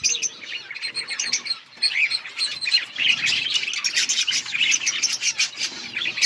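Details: Outdoor colony of budgerigars kept for breeding, many birds chattering at once in a continuous high, scratchy warble with squawks and tweets layered throughout.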